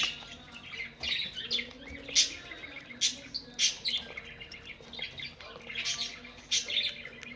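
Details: Breeding budgerigars chattering together: busy overlapping twittering and bright chirps rising in clusters, with a few sharper squeaks, over a constant low background hum.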